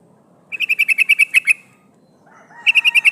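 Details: Calling female sooty-headed bulbul, a decoy for catching wild males: two rapid bursts of bright, clipped chirps, about ten then five notes, with a faint sliding whistle between them over a quiet rustle.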